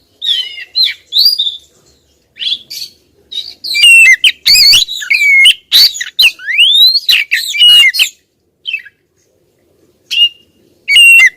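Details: Persistent female Oriental magpie-robin calling to rouse a male, with clusters of sharp whistles, upswept slurs and rasping chatter, separated by brief pauses and ending in scattered short notes.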